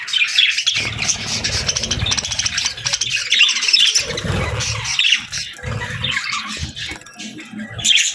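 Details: A busy parakeet flock chirps through the summer air, giving a steady stream of harsh, overlapping chatter and squawky notes with scattered low bumps and rustles.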